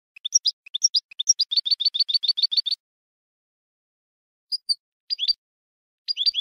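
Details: European goldfinch contest singing: a few rising chirps, then a quick rhythmic series of paired notes, a long pause, and isolated high twitters returning near the end.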